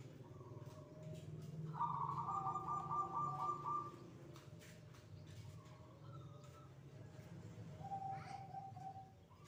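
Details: Perkutut, the zebra dove, cooing near midday prayer time: a quiet start, then a brighter rolling trill lasting about two seconds, followed by fainter lower notes amid steady low background hum and scattered clicks.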